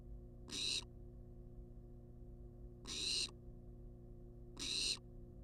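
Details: Barn owl in a wild nest box on a live camera, calling for food with three drawn-out rasping hisses at irregular gaps of about two seconds, electrical hum underneath.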